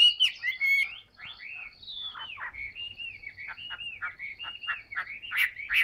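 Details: Heavily singing, well-tamed caged Chinese hwamei of large build; a loud opening flourish, then a long chain of slurred whistled notes with quick downward sweeps, steady and varied throughout.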